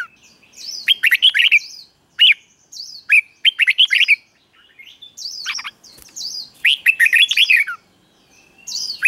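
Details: Red-whiskered bulbul in captivity performs repeated doubled phrases as a tutor recording for chicks. Mellow, bubbling warbles are separated by short silences.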